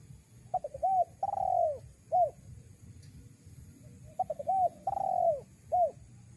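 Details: Spotted dove calling, a recording used to lure wild doves. Two phrases are heard, each with quick low notes, a rising note, a long slurred descending coo and a clipped final note, over a quiet low rumble.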